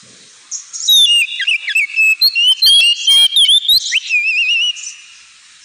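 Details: Ngemplong song of the kacer (Oriental magpie-robin), played to train pet birds: a loud run of sweeping whistles, sharp upslurs and a wavering trilled note, delivered fast and varied before fading out.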